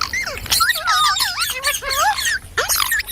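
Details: A green parrot gives clear, twisting whistled calls in short repeated phrases, with a few sharp broadband squawks between them.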